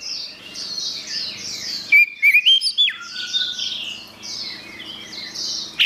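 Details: Orange-headed thrush in full, actively delivered song: a dense stream of high, rapid warbled and chattering phrases, broken near the middle by a few loud, clear whistled notes before the varied twittering resumes.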